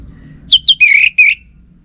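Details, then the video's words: Orange-headed thrush on a lure recording aimed at males: two short high notes, then buzzy, slightly rising whistles in two linked bursts, over faint low hum. "Ga Bunyi Dengan Pancingan Burung ANIS MERAH Ini dipastikan Itu Burung Betina, Jantan Pasti Nyaut"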